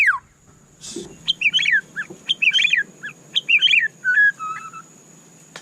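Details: Caged White-rumped shama (murai batu) singing a run of quick, sharp, descending chirped phrases, then lower whistled notes, with a soft thud early on and a faint steady hiss.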